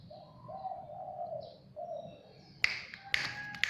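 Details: Zebra dove that came by itself to a house: a series of soft, mellow, slightly trilled coos runs steadily for about two seconds, followed by sharp clicking taps and faint high bird chirps.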